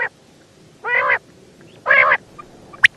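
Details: Female quail calling: two harsh, nasal, buzzy notes with stacked overtones, each about a third of a second long and roughly a second apart, followed by a few sharp clicks near the end.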